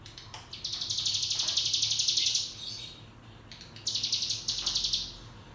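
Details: Mountain tailorbird song for training young birds in the ngebrem style: a sustained, rapid, buzzy high trill of about two seconds, a brief gap, then two shorter bursts of the same trill.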